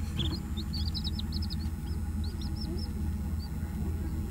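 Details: Newborn White Leghorn chicks, one to two days old, kept on a homestead in northern Florida, give a quick run of bright, arching high peeps that thins out into single spaced cheeps over constant low background hum.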